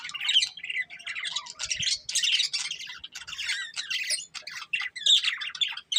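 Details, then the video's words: Chirping from a breeding pair of budgerigars: dense, scratchy warbling chatter with squawks and short whistles, running almost without break; a faint low thump near the middle. "Beautiful Budgies Chirping Sounds"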